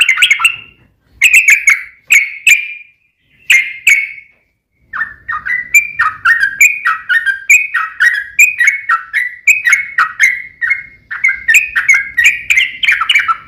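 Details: Singing sooty-headed bulbul, recorded as bait to make other bulbuls sing back: a few separate bubbly two-part whistled phrases at first, then a long continuous series of rhythmic, slightly descending liquid notes repeated about twice a second.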